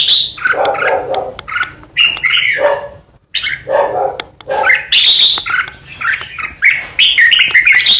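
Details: Caged red-whiskered bulbul kept as a lure bird for competition singing, giving the loud 'ché' style song: dense bursts of rich warbled and chattering notes, some high and sharp, in phrases with brief pauses.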